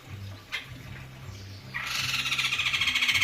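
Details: After a quiet opening with a single tap, a caged white-crested laughingthrush bursts into a fast, throaty, evenly pulsed chatter that runs to the end.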